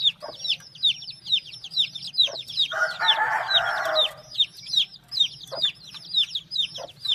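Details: High, downward-sweeping peeps from many chicks keep up a busy chorus, with a rough, buzzy call lasting about a second midway and a few deeper clucks.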